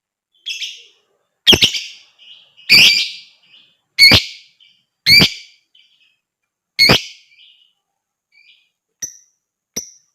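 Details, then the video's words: Lovebird calling, used to stimulate other birds to sing: loud, harsh, rasping chirps about once a second, then two thin, high, clipped notes near the end. "TERAPI JITU BUAT LOVEBIRD,Ngekek dan Gacor Lanjut burung lain dengar ikut gacor dan ngekek"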